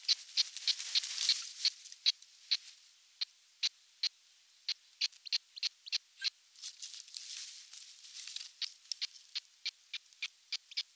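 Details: Osprey chick alone at the nest in Satakunta, Finland, June 29, 2022; a long run of sharp high chirps about three per second, with bursts of rustling or wind hiss between them.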